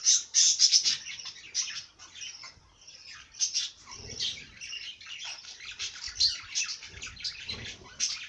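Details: Birdsong opening with loud, quickly repeated high chirps, then softer continuous twittering and trills with a few faint low knocks.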